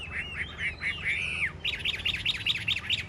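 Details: Caged Chinese hwamei singing in a rack contest in Vietnam: clear, slurred whistles give way to a rapid run of bright, sharply repeated notes, roughly two or three per second.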